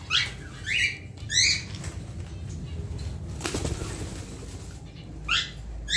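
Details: Cockatiel chick around its first flight; sharp, rising, harmonic chirps in quick succession at the start, a long gap with a broad noisy burst midway, then another rising chirp pair near the end.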